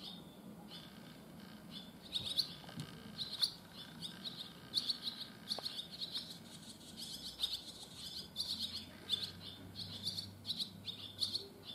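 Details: Newly fledged barn swallows on the first day after leaving the nest: a steady stream of high, thin chirps and twitters, irregularly spaced, with a low hum in the background.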